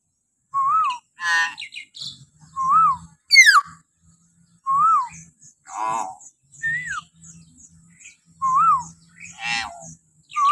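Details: Common hill myna calling in the morning, a lure recording for training captive mynas: clear whistled notes rising then falling, repeated every couple of seconds, mixed with harsh buzzy bursts and a sharp upward-swept shriek.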